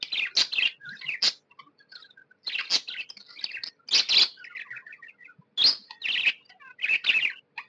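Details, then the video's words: Happy tame budgerigars chirp in irregular bursts of buzzy, scratchy notes with soft warbling between, in an indoor setting. "Happy budgie chirping sound"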